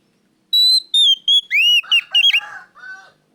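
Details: Oriental magpie-robin (kacer), loud and clear, used to stimulate other kacer to sing: a few high level whistles, then lower, rapid warbling and chattering notes trailing off.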